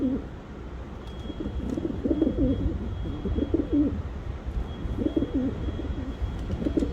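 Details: Pigeon cooing: around five gurgling, deep phrases, some running close together, with soft clicks and a steady low rumble underneath.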